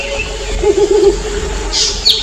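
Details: Mottled Wood Owls calling at night to tell each other their location; a low quavering, wavering hoot that lasts under a second, with faint higher chirps from other birds and background hiss.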